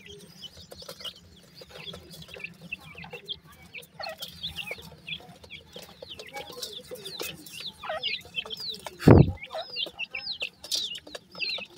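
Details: Young grey francolins peeping, a dense run of short high slurred chirps that grows busier toward the end, over a constant low hum, with one sharp loud knock near the ninth second.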